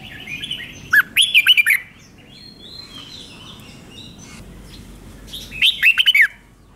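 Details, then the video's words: A red-whiskered bulbul gives a doubled five-syllable song, played for other bulbuls to copy. Two bright, bubbly phrases of five quick whistled syllables each come about four seconds apart over a quiet background. "เสียงนกกรงหัวจุกเบิ้ล2 เบิ้ล3 เพลง 5 พยางค์"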